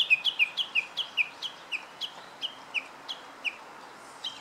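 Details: Japanese bush warbler singing: a rapid string of about thirteen short, sharp, downward-slurred chirped notes, evenly spaced at first, then slowing and fading toward the end, over a quiet background.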